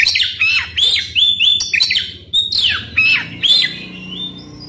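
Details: Oriental magpie-robin in energetic song aimed at provoking a quiet bird: fast run of slurred whistles, each swooping down, interwoven with harsh buzzy notes, continuing almost without pause.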